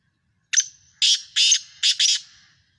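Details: Loud grating call of a black francolin, the Sindhi kala tetar of Pakistan: a brief lead note, then a rhythmic run of four harsh, broad bursts, the final pair close together. No other sounds intrude.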